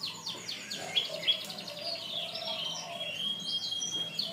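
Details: Canary song from a long training recording for birds: fast trills and twittering phrases with sweeping notes and a sustained high whistle, fairly quiet throughout.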